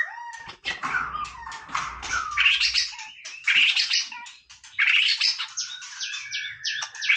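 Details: White-rumped shama giving harsh, rich chattering phrases mixed with whistled slides, in loud bursts separated by brief gaps, over a faint low hum at the start.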